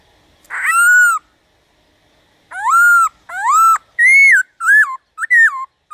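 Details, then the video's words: Black-throated laughingthrush song in 'gọi bổi' style, used to stimulate other birds to sing. A long whistled note, a pause, then a run of arched and rising clear whistles that come faster toward the end. "Khướu Hót DÉO BỔI - GỌI BỔI kích thích bổi hót/kích thích khướu bổi căng lửa"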